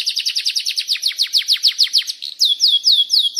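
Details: Canary rolling song used to set other canaries singing. Rapid, burry descending notes run for two seconds, then change to slower, cleaner whistled notes.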